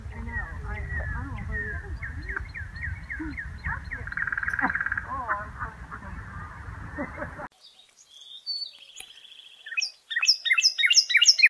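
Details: Northern cardinal in Cincinnati, Ohio, giving rapid, sharp, high chip notes in quick runs, after a cluttered opening of chirps over low rumbling background noise.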